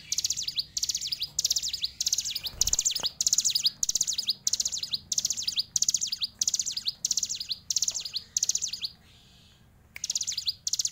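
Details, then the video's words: A hill prinia (Ciblek Gunung, fighter bird) sings loud, sharp, high chirping phrases in quick succession, about one and a half per second, with a short break near the end. "Ciblek Gunung Fighter"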